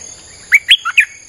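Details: Streak-eared bulbul song played as a lure for wild birds: a quick burst of four bright, warbled notes, the second highest and the third dipping lower, delivered within half a second against a quiet background.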